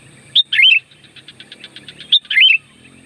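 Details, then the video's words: Sooty-headed bulbul lure song, loud and clear: two bright warbling whistled phrases about 1.7 seconds apart, each opening with a sharp note. Soft rapid pulsed chatter fills the pause. "SUARA BURUNG CUKUP AMPUH UNTUK PANGGILAN KUTILANG LIAR"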